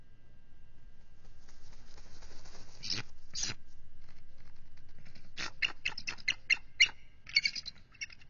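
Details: Bald eagle pair on high alert at their nest with an egg, 18 February 2023, as a mature adult intruder enters the territory: low rumbling noise first, then a fast run of sharp, high, repeated chittering notes.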